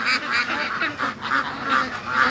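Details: A penned flock of free-range domestic ducks, upset after days of lockdown, quacks loudly and persistently on a September morning, harsh nasal calls overlapping about twice a second.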